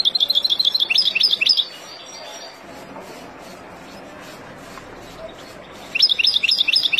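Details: Wild goldfinch song for tutoring young birds: a fast, sparkling string of high twitters, then several seconds of soft background hiss, before the bright chattering phrase starts again.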